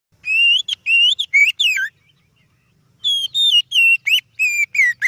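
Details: Oriental magpie-robin (kacer) song, used as a lure to draw out other birds. Two bursts of loud, clear whistled notes, some rising and some falling, about a second's gap between them, with a faint low hum beneath.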